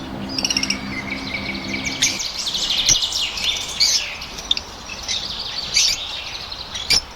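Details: Blue-colored pet lovebirds (opaline, parblue opaline) kept in Pakistan chatter with high squeaky twitters and scratchy notes, a low hum early on and a few sharp clicks.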